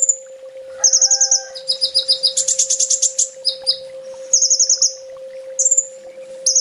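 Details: Sunbird master song used to train birds: dense, high-pitched trilled phrases shifting between two pitch levels, with a buzzy burst in the middle and short whistled notes, over a low constant hum.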